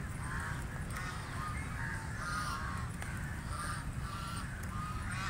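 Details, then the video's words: Feeding in water, a call duck utters repeated hoarse quacks in short groups, set against loud continuous water rush. "Call Duck Quacking Quacking"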